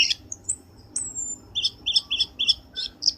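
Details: Lure call of the Black-winged starling used to trap birds: a high drawn-out whistle, then a rhythmic series of short squeaky double notes repeated about every quarter second, over a low steady hum.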